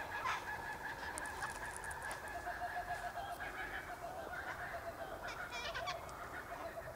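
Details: In winter, Sulphur-crested cockatoos (Cacatua galerita) feed on tossed-out seed by a gate, giving harsh, nasal, drawn-out honking screeches that overlap almost without pause, with rasping bursts and a busy background of other birds.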